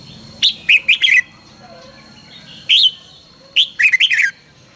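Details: Red-whiskered bulbul in morning training song, căng lửa style: three loud phrases of sweet whistled notes, each opening with an upslurred note and ending in a rapid, slightly descending warble, with a faint high steady tone underneath.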